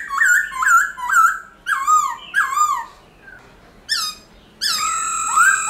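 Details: Black-throated laughingthrush in forest voice, played to make caged birds sing: repeated slurred whistles falling in pitch, a pause, then a long sustained whistled note.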